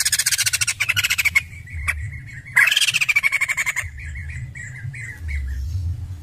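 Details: White-crested laughingthrush giving loud rapid stuttering chatter, a fast series of pulsed squawky notes, then a harsh burst trailing into short repeated calls, over low background hum.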